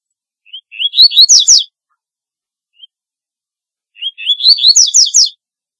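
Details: Double-collared seedeater (corbatita) song, two bright, hurried phrases of ascending slurred notes ending in buzzy trills. A single soft chip falls between them, with otherwise clean silence.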